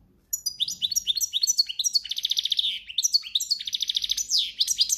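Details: Goldfinch singing in the cante campero style; lively high twittering phrases mixing tinkling notes, fast buzzy trills and slurred rising whistles, delivered continuously and loudly with little background noise.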